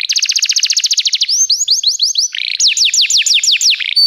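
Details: Canary delivering song meant to train canaries: a fast rolling trill of about twenty notes, several swooping upward-then-falling whistles, a short buzz, then a series of sharp descending sweeps.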